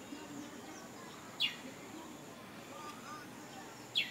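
A munia gives two short, high, downslurred chirps about two and a half seconds apart over a steady background hiss.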